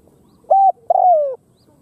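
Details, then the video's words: Spotted dove from Cambodia giving a clear flat coo followed by a longer coo that falls steadily in pitch. "Khmer Spotted Dove Sound លលកខ្មែរសម្លេងល្អណាស់១០០%"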